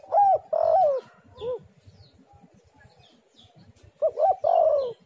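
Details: Tekukur or spotted dove cooing as a lure for other doves: two phrases of loud, slightly quavering coos, each a short rise and longer falling note, separated by a few seconds of quieter background with faint bird chirps.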